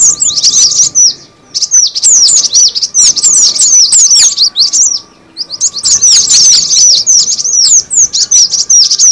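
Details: Lure call of the cinereous tit: dense, shrill, falling chirps repeated about two or three per second in long bouts, split by short gaps, with a steady faint hum beneath.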